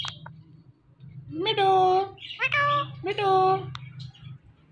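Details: Talking Indian ringneck parakeet repeating "Mitthu": three voice-like harmonic syllables, each about half a second, with short squeaky notes between them, over a steady low hum.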